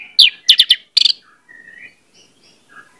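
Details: Song of an orange-headed thrush, played as a lure to set birds singing fast: several loud, sharp buzzy chirps in quick succession, then softer, thin whistles trailing off into quiet.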